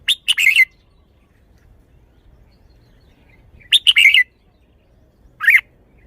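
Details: A caged red-whiskered bulbul delivering its song: two rich, rapid warbled phrases of chirpy, falling notes several seconds apart, then a single shorter, lower slurred note at the end.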